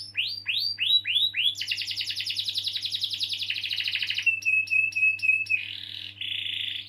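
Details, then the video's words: Long canary roll used as a lure for young canaries or ones gone quiet; opens with swooping whistled notes, then dense rapid trills, a thin steady whistle, and softer buzzy notes, over a low constant hum. "Kenari Gacor Ngeroll panjang || Pancingan Kenari paud atau macet bunyi"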